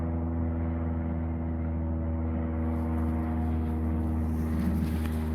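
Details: A steady low engine hum with droning harmonic tones, like a vehicle or boat motor running, and no animal voices.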